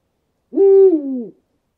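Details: An owl in a forest at night, either a tawny owl or an eagle owl, gives a single hollow hoot, about three-quarters of a second long, steady then sagging slightly at the end, against a silent background.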